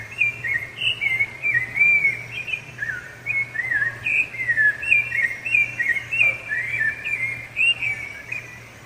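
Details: Song of the sabiá-laranjeira, or rufous-bellied thrush, given to defend territory and attract a female: a long stream of melodious whistled notes in varied, looping phrases, with a faint low hum underneath.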